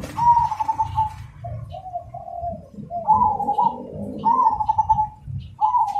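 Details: Cemani zebra dove singing a loud, clear, rhythmic song: purring trilled coos, then lower drawn-out notes and renewed bursts of rolling cooing; low rumbling background noise throughout.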